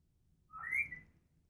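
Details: Female African grey parrot kept as a pet, producing a single rising whistle that climbs and then levels off at a high pitch, lasting about half a second, in quiet indoor surroundings.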